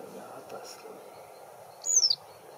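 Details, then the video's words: A Yellow Wagtail (Motacilla flava flavissima) gives a single thin, high 'tsweep' slurring downward over a faint background hum, 6 May 2022. "Bergeronnette ﬂavéole (Motacilla ﬂava ﬂavissima, Yellow Wagtail)"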